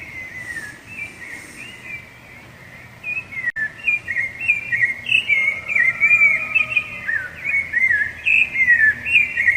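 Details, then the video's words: A rufous-bellied thrush sings to defend territory and attract a female; after a quieter start, loud whistled phrases tumble out rapidly, several per second, rising and dropping in varied twists, with a fainter lower whistle beneath. "Canto de Sabiá Laranjeira"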